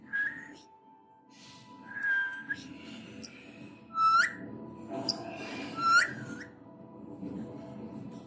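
An Alexandrine parakeet gives clear whistled notes and rough, cough-like bursts, then a mimicked meow, over a low indoor hum.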